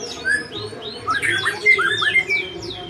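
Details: White-rumped shama giving a strange, varied run of short whistled slurs and chirps, rising and falling notes tumbling quickly together over steady background hum.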